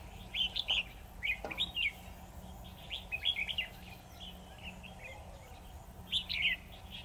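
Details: Decoy red-whiskered bulbul at a trap set for a lone, clever wild bird, giving bursts of sharp, bubbly whistled notes with gaps between, one soft knock, and constant low background hum.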